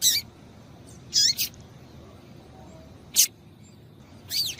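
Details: Calling female rusty-collared seedeater, kept to get a male singing: scattered sharp high notes, some with quick falling sweeps, in loose bursts across several seconds against a faint hiss.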